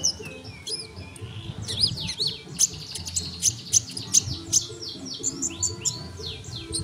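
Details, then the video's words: Energetic sunbird singing, kept as tutor song for other songbirds: high, sharp twittering notes and short downward sweeps repeated several times a second, with a low humming noise underneath. "masteran burung kolibri super gacor"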